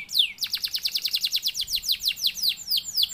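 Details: Canary lure song meant to draw other canaries into singing: a quick, even series of sharp downward-swept whistled notes, about seven per second, bright and high, over a faint low background hum.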